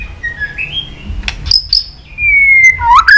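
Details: White-rumped shama in chattering, many-voiced fighting song: thin, drawn-out whistles, one long falling note then a quick rising slur, over faint background rumble.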